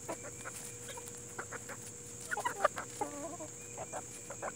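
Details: Plymouth Rock and Hamburg chickens outdoors giving soft, short clucks scattered through the clip, with a brief cluster of sharper notes near the middle, over a steady high hiss and low background hum.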